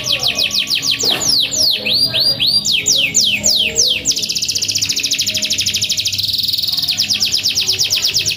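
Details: Canary in full, vigorous song: loud repeated downward-sweeping whistles and looping slurred notes, then long, very rapid trills held on one pitch. A faint low hum runs underneath.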